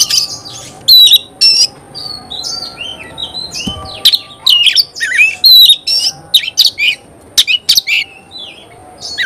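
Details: Chatty Oriental magpie-robin song said to excite other magpie-robins into singing: harsh squawky notes alternate with sliding whistles and sharp, clipped bursts, spaced irregularly with quiet gaps, over faint indoor background hum.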